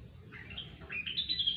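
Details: Grey-cheeked bulbul, known locally as rengganis or cucak wilis, in energetic gacor singing used to prompt silent birds. Short clear whistled notes step upward in pitch over about one second, with low background hum.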